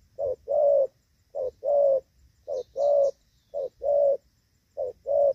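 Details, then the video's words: Gù vấp coo of a spotted dove used as a decoy for trapping in the rainy season, 23 July 2024. Clear low notes come in short-then-long pairs, four pairs in rhythmic succession, with faint high twitters behind. "Gù vấp"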